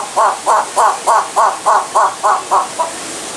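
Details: Bird calling in a steady series of about ten short, hoarse, harmonic notes near mid pitch, evenly spaced roughly three per second, each slightly falling, with no other clear sounds.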